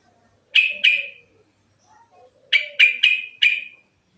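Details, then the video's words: Natural rolling song of a yellow-vented bulbul, with varied phrases, used as a lure: a pair of sharp, bright chirps, a short pause, then a quick run of four more, over faint low warbling sounds. "Suara Burung Trucuk Alami Ngerol Isian Variasi Bagus Buat Pancingan"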